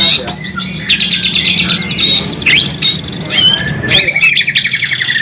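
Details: White-rumped shama singing, used to stimulate other shamas: quick high chattering phrases, clear rising and falling whistles, then a rapid buzzy trill, with low hum beneath.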